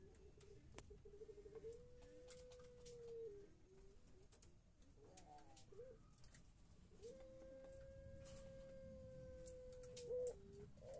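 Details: Long crow of a Pelung chicken: two sustained, level drawn-out notes each lasting a few seconds, with a brief rise at the end, amid faint background noise and knocks.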